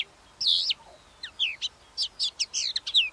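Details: Calandra lark song: a loud high buzzy note, then a run of short sharp chirps and rising and falling slurred notes in quick succession, quieter background.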